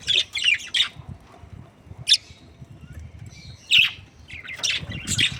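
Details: A breeding pair of budgerigars giving separate sharp chirps and short squawky bursts, spaced by quieter pauses, with faint low background rumble.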